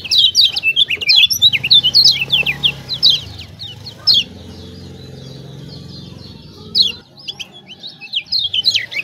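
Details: Lemon-bellied white-eye from Lombok, 'ciak ciak' style lure for birds slow to sing. Rapid high twittering for three seconds, a pause over a low hum, then more short chattering phrases.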